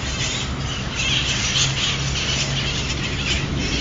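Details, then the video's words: A flock of wild parrots in San Francisco gives harsh, scratchy squawks over a steady wash of outdoor noise and a low hum. "Wild Parrots Sound Effect"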